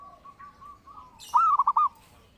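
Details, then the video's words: Zebra dove singing, a lure recording for training birds: a faint steady whistled tone, then one loud cooing phrase of a rising opening note followed by three short clipped coos. "Pancingan Burung Perkutut Gacor"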